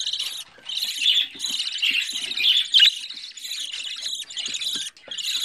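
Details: Home-bred budgerigar chick, fourteen days old, gives a near-continuous scratchy, buzzing chatter broken by brief pauses, with a few sharper squeaks standing out among the rasping.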